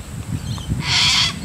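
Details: Little Corellas from a visiting wild flock at Moorooka, Australia: a loud, harsh, broadband screech lasting about half a second, with a man talking quietly before and after it.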